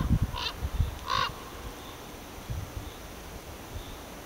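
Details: Ravens chatting on a powerline tower give two short, croaking, harmonic calls about half a second apart near the start, then only low rumbling wind noise.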